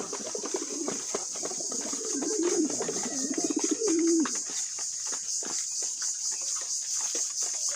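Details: Pet pigeons coo while eating: a low, wavering, throaty coo rolls on for about two and a half seconds, over a steady high-pitched hiss and scattered clicks.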